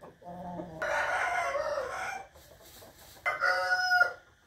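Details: Rooster crowing in the morning, 8 April 2021: a loud, broad, rasping crow lasting about a second and a half, a quieter pause, then a second harmonic crow that tails off, over faint background noise.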